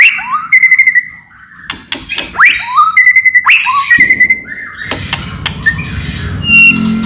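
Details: Murai batu (white-rumped shama) song meant to draw other shamas into singing: drawn-out mid-pitched whistles, some sliding upward, broken by sharp clicks, then a softer trailing whistle.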